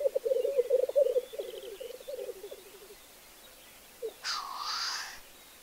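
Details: Black grouse displaying at the lek: a low, rapid bubbling roo-koo warble lasting about three seconds, then a single harsh hissing sneeze-like whoosh, in a quiet open background.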